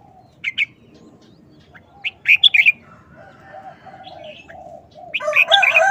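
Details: Caged red-whiskered bulbul delivering a short, rapid 'wild song' phrasing. Crisp whistled notes come in small clusters: a pair, then a tight run of four, then a louder jumbled burst. Low repeated cooing and other birds sound in the background.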